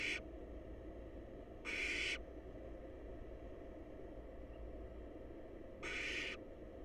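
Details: Hungry wild barn owl chicks, snuggled together in a nest box, let out harsh hissing bursts: a cut-off one at the start, another near two seconds, and a third near six seconds, over a low background drone.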